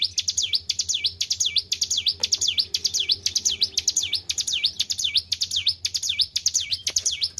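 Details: White-browed shortwing kept in care and singing actively. Bright whistles fall and climb in quick V-shaped sweeps, repeated roughly twice each second with even rhythm. There are a few faint clicks and a low hum.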